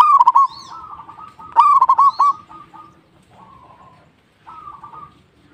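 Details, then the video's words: Local zebra dove singing: two loud, stuttering coo bursts of rapid notes, each followed by softer trailing coos, then a gap and a faint closing phrase. "PERKUTUT LOKAL GACOR"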